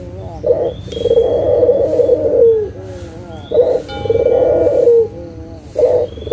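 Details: Barbary dove, local type, used as a lure to set quiet doves calling: brief low notes lead into long purring coos that slide down at the end, repeated about every three seconds, with faint high whistles behind.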